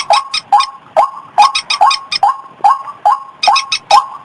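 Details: Rhythmic white-breasted waterhen calling used as a lure, short rough notes repeated in a regular beat of about two per second with crisp clicking accents, clean and close.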